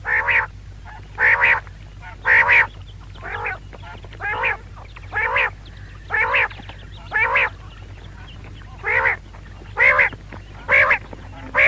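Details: Female quail calling steadily: nasal, harmonic bursts of about half a second, repeated roughly once a second in an even series, with a quiet low hum behind.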